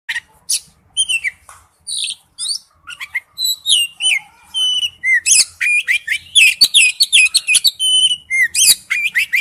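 An Oriental magpie-robin sings a rich, varied string of clear whistles, slurred notes and sharp chips, delivered in quick bursts of two to three phrases per second.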